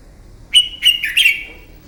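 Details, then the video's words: Red-whiskered bulbul singing a morning fighting song for bird training: three rapid, loud, bright whistled notes run together into one ringing phrase. "Kích chào mào bổi hót đấu, luyện giọng chào mào hót đấu buổi sáng kích chim hót đấu căng lửa"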